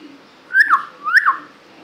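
A hill myna gives two loud whistled notes about half a second apart, each swooping up and then dropping sharply, in a quiet room.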